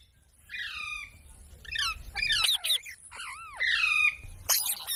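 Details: Parrot billed as a speech mimic utters a sequence of harsh squawks and arched, harmonic glides, some curving up then down, with loud sharp bursts near the end.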